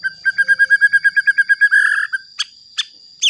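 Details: White-rumped shama singing to provoke other shamas, a fast even series of about fourteen repeated whistled notes ending in a buzzy trill, then a few sharp high downslurred notes.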